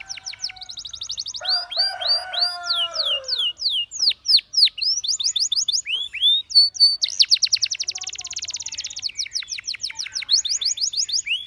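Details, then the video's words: Training song of a canary meant to encourage other birds to sing: rapid trills of descending sweeps, a short low warbling passage, then fast buzzy rolls and repeated high whistles, quiet backdrop. "Canary Seducing Friends to Sing!"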